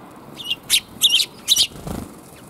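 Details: Sparrows arriving to be fed on 5 December 2021, on the way out: a few high, clipped chirps, then two louder doubled bursts about half a second apart, followed by a soft low thump against quiet background hiss.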